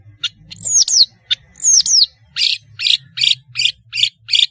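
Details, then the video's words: Long-tailed shrike in melodious, active song, played to lure juveniles into learning sounds; high sharp notes alternate with two long downslurred whistled phrases, then a run of evenly spaced harsh buzzy notes about twice a second. "BURUNG PENTET GACOR SUARA MERDU, PANCINGAN TROTOL BELAJAR BUNYI"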